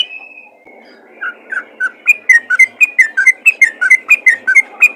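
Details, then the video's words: Yellow-vented bulbul calling to other bulbuls: a thin drawn-out whistle opens, then fast rhythmic chirped notes alternate up and down in a regular, energetic series. "panggilan burung trucukan ropel gacor memanggil trucukan lain"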